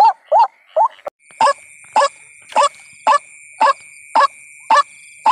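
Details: White-breasted waterhen lure recording: a few quick rising croaks, a short break, then evenly spaced rising notes about every half second over a steady high-pitched hum.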